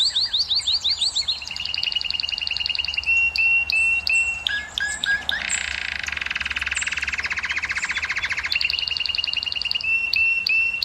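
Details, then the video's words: A canary delivers song meant to stimulate females to breed: quick high sweeps and rolled trills, then a harsh buzzy rattle over several seconds before the brighter trills return. "الكناري المجنون سبحان الله أفضل صوت لتهييج إناث الكناري وحثهم على الزواج"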